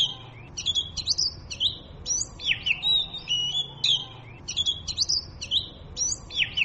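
An Oriental magpie-robin sings a varied run of clear whistles, slurred notes and quick chirps in short bursts, high-pitched and nearly continuous, with little background noise.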